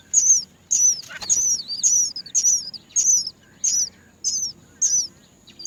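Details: Many Great myna baby birds beg while waiting for their mother to feed them; sharp, high squeaky notes falling in pitch, given in a regular string nearly twice a second, with a brief fluttering sound early on.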